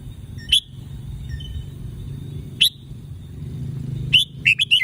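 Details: Caged red-whiskered bulbul in Thailand giving three single sharp chirped notes about two seconds apart, then a short run of quick slurred whistles, with constant low hum behind.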